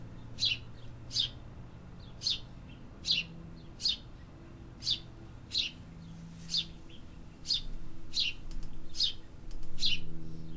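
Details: A city bird repeats short, piercing chirps, about eleven in ten seconds, at an uneven pace. Low urban drone underneath grows into a rumble toward the end.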